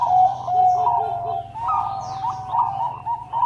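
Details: Bangkok-type zebra dove, a perkutut in full voice, sings a steady low coo with soft rolling accents at a regular pace. A faint low hum runs underneath.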